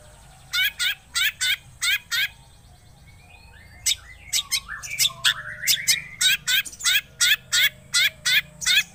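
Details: Shrike lure recording, long-tailed shrike, used to make a quiet bird sing: clipped harsh notes in pairs, then a run of rising slurred whistles and steady rhythmic buzzy chips.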